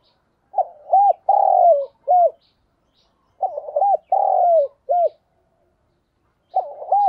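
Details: Decoy spotted dove giving its 'gáy gọi' calling coo to urge on wild doves: two phrases about three seconds apart, each a short double note, a long slurred coo falling at the end, then a final clipped note, in quiet surroundings.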